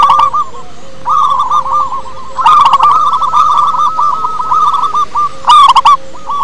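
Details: A group of local wild-type zebra doves used as a singing lure: strings of quick, curled cooing notes building after a pause, with a steady faint tone underneath and two loud chirpy bursts.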